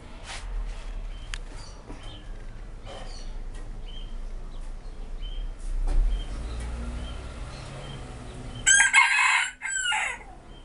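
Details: Five-toed Silkie rooster crowing at 2 pm on 1 December 2014, after crowing about four times before filming: one short, hoarse crow near the end after quiet stretches, with small birds chirping and a low background rumble.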